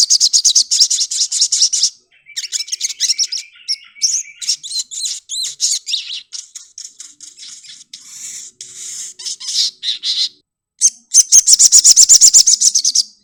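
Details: Sogokontong pet songbird pouring out a long, high-pitched, scratchy warble. Mixed chattering and squeaky notes are followed, after a short gap, by a steady run of rapid, sharply repeated chips.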